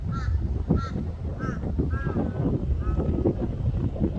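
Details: Angry gull chasing other gulls: about six short, harsh, nasal calls with bright overtones, some doubled, spread over four seconds above a constant low rumble of wind or background noise.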